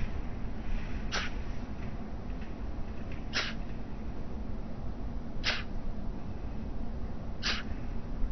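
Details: White stork coughing at night while brooding its chicks on a nest atop the town hall tower in Alcalá de Henares, Spain; four short harsh bursts about two seconds apart over constant loud background hiss.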